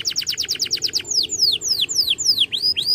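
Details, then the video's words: Male canary in full song, played to stimulate young birds: a rapid burst of repeated chips followed by slower, sweeping downward whistles, bright and high-pitched. "Cuit Cuit Kenari Memanggil Lawan"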